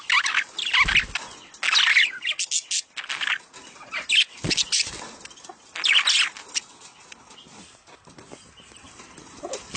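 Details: Mating sounds of budgerigars for stimulating breeding: bursts of raspy warbling chatter separated by quieter gaps, with a few soft fluttering thuds.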